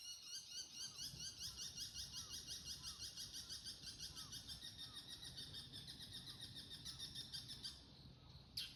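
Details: Wild bull-headed shrike giving its autumn takanaki from a bamboo grove at Showa no Mori, Chiba City, Japan, around sunrise on 13 October 2024, declaring territory: a steady series of sharp high kii notes, about three per second, faint and distant.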